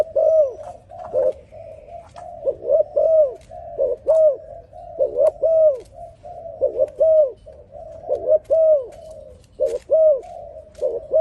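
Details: Dove's mellow song: a long run of rounded, arching coos in repeated phrases, each note swelling then falling, delivered steadily and evenly against a quiet background.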